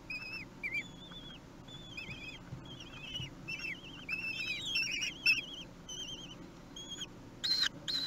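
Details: Common kestrel young, three weeks old, at a meal at Théding on 8 June 2021: a busy jumble of short wavering squealed whistles, increasing toward the middle, ending with a couple of brief scratchy sounds.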